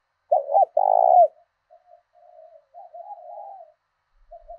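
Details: Decoy spotted dove giving its southern thổ đồng voice to stir wild doves into fighting: a strong broken coo and a long deep coo open, followed by a string of quieter wavering coos.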